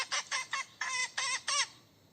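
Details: Hen calling for a mate: six quick, hoarse, wavering squawks in a tight series, the last ones longer and more drawn out before the sound fades.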